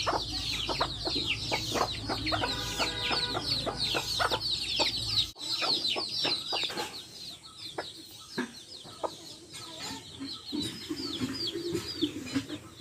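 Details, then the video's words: Backyard hens with chicks: many high, downward-curving chick peeps packed densely and continuously, mixed with scattered short hen clucks and pecking taps; the peeping thins out in the second half. "Adorable backyard hens with chicks making adorable sounds!"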